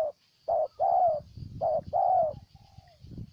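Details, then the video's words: Spotted dove from Ninh Thuận, Vietnam: loud two-part cooing phrases, short then long and falling, over low rumbling noise, followed by a faint distant coo. "Cu Gáy Ninh Thuận"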